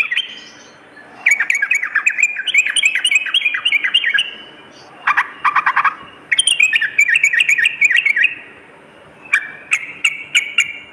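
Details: Yellow-vented bulbul song recorded as night-time training audio for a kept bird. Rich, liquid warbled phrases last one to two seconds, broken by short pauses and by sharp clicking notes.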